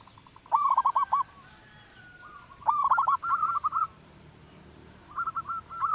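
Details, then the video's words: Loud local zebra dove song for luring other birds: three rapid, trembling coo phrases, each a quick run of pulsed notes separated by short pauses, with faint flat coos in between. "perkutut lokal suara besar"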